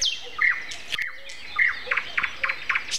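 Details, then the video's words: Common nightingale singing on an April 29 Sunday morning at 7:55, a season when it began singing from mid-April; sharp broadband notes, short whistles and a quick run of repeated clicks, other birds faint behind. "Morning concert. Nightingale and Со."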